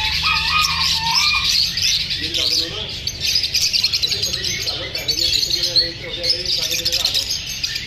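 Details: A flock of lovebirds, uneasy at being filmed, chatters continuously in high, overlapping chirps and twitters, with some lower rolling notes mid-way and no single bird standing out.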